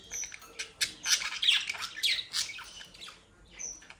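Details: Mischievous captive budgerigars bred near Den Haag, South Holland, produce scratchy chatter and squeaky squawks in a quick jumbled run, then fade to a few soft chirps.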